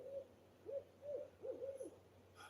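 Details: An owl up in the trees at 3:20 a.m. under a full moon gives five soft, mid-pitched hoots in under two seconds, each slightly wavering, followed by a brief faint click at the end.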